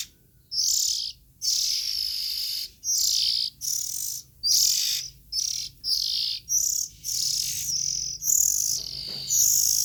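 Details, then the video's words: Young Oriental magpie-robins calling steadily: roughly twelve raspy, hissing bursts spaced about a second apart, high and breathy, some carrying a faint whistled edge. A soft low hum lies underneath. "Tiếng Chim Chích Chòe Than Non Kêu"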